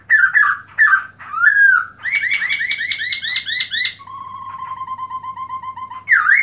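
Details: Melodious song of a black-throated laughingthrush (Garrulax chinensis), open-tail display, 2017: loud fluty whistles, then a fast rolling series of bubbly notes, a long steady chain of even clipped notes and a final swooping call, with a steady low hum behind.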